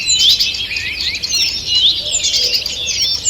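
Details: Forest birds in full morning song, 2 June 2023: a thick wash of high, thin whistles and quick chirps, with short bright upward-sliding notes standing out.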